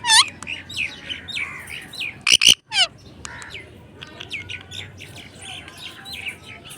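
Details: Pet talking parrot in its natural voice, chattering with quick high chirps and slurred squeaks. In the middle comes a burst of loud, harsh screeches, then softer rapid twittering.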